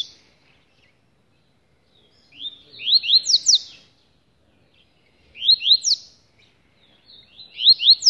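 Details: A caged double-collared seedeater, cage held in hand, sings three short bursts of quick, bright, rising whistled notes, each burst lasting about a second and repeated every two seconds; nothing else heard.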